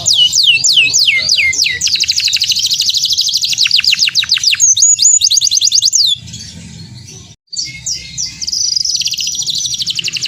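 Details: Canary singing as a lure to make other canaries reply: swooping whistled notes give way to long rapid high trills and a descending rattle, a short break, then more fast trilling.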